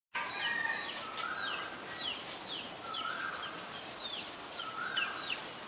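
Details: Common iora, a resident bird of open forest, mangroves and parks, calling: a series of short, thin, rising whistled notes about twice a second, mixed with lower, drawn-out slurred whistles over a steady outdoor hiss.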